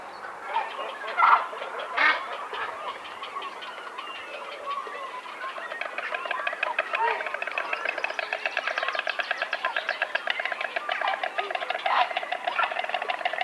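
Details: A white stork (Ciconia ciconia) at a tree nest in the Czech Republic bill-clatters in a fast, dry wooden rattle running steadily for several seconds, after a few louder scattered knocks at the start.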